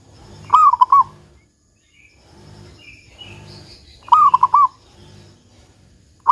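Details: Local zebra dove giving the big 'kung' song, used to lure other zebra doves to sing: two rolled, stuttering coo phrases and the start of a third, with soft distant twitters and a low background rumble.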